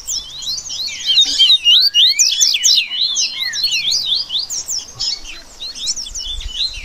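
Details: Rusty-collared seedeaters in a lively baderna for song training: tightly packed sharp high notes and rising slurs, a brief upward whistle near the start, the overlapping twitter thinning and surging again toward the end.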